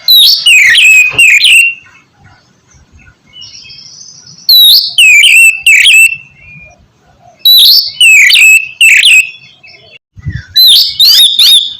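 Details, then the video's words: Oriental magpie-robin singing, played to stimulate a bird that is slow to sing: loud bursts of sweet, rising and falling whistled phrases in four clusters separated by quieter gaps with soft distant warbles. "terapi kusus untuk penggacoran burung kacer yg masih malas bunyi atau macet"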